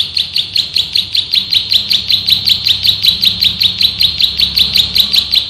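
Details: Master recording for training birds of a male bar-winged prinia (prenjak sawah): an unbroken stream of rapid, bright chirps, roughly two and a half per second, tightly spaced and regular from start to finish.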